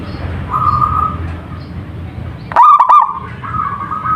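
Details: Wild local zebra dove (perkutut lokal) singing: one short, loud burst of rolling, throaty notes midway, between steady thin whistled tones, over a constant low rumble.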